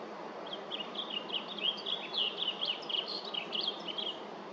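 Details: At LaFarge Sandpits on July 8th, 2024, a blue grosbeak delivers a lively warbled song of tumbling, slurred high notes lasting about four seconds, over a steady low hiss.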